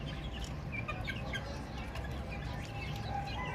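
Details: Crowd of baby chicks chirping nonstop: dense bursts of short, bright, falling peeps tumbling over one another against a heavy low-pitched background hum.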